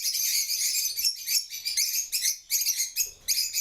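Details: Shrill bursts of chattering from African lovebirds, clusters of sharp high squeaks and twitters separated by brief dips, about eight bursts in under four seconds.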